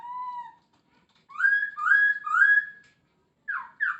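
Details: Lively masked laughingthrush song with plenty of fills: a low steady whistle, a pause, then three loud rising-and-falling slurred whistles in quick succession, closing with two short downslurred notes.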